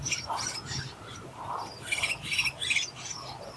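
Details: Willie wagtail chicks about 12 days old begging actively for food during frequent feeding, recorded 24 October 2020. Scratchy, squeaky chirps come in uneven bursts. Higher buzzy notes cluster in the middle of the recording.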